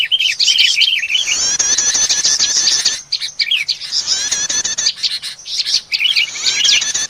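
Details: For catching small birds, a busy prinia lure: quick wavering chirps open, then dense high trilling chatter in long bursts with brief pauses.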